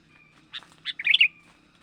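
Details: Young sooty-headed bulbul, lure call meant to attract wild birds: two quick clipped chirps followed by a loud, jumbled twittering flourish lasting under a second, with a faint steady low hum beneath.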